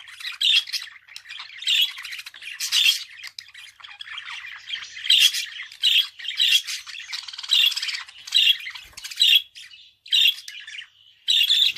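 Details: Extended budgie chatter: buzzy harsh notes pulse repeatedly, interwoven with fine twittering and a few clearer whistled tones, continuing nearly without pause.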